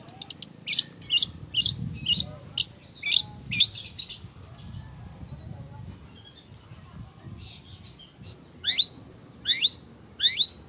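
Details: Long-tailed shrike lure song used to provoke singing: a rapid series of sharp, scratchy high notes about every half second, a quieter pause, then several downslurred whistled notes.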